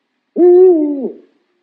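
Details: Owl hooting once: a smooth, deep note that stays flat, then bends downward and stops, with nothing else audible.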